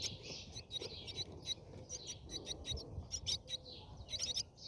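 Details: A Brahminy starling at its nest, with feeding noted, gives harsh, scratchy chatters in quick bursts, several rasping notes a second, over a low background rumble.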